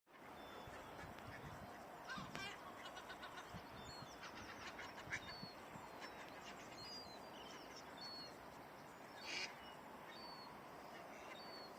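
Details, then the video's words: Geese honking in a mass take-off from a nature reserve pond where ducks gather, a burst of repeated nasal honks stacked over a steady wash of wing and water noise, with scattered higher calls. "there is a mass take-off of geese early in the video"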